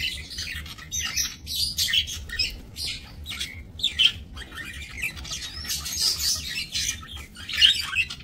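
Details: Aviary budgerigars kept for breeding, 28 November 2024: sharp squawks and chirps in quick irregular bursts from several birds, overlapping chatter filling the whole stretch.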